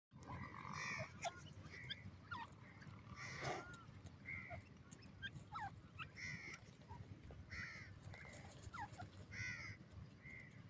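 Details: Grey francolin chicks playing in the mud with an adult in a forest in the evening: many short, sliding chirps and squeaky notes, some downward-sweeping, scattered irregularly over a steady low rumbling background.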